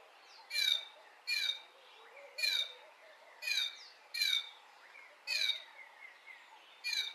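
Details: Lesser striped swallow singing early in the morning in a garden: a steady run of squeaky, nasal, descending notes, each about a second apart, with faint twittering behind.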